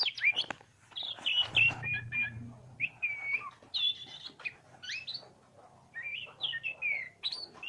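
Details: An oriental magpie-robin (kacer) sings vigorously, alternating long flat whistles, downslurred notes and rapid scratchy chatter, with a soft low rumble in the background.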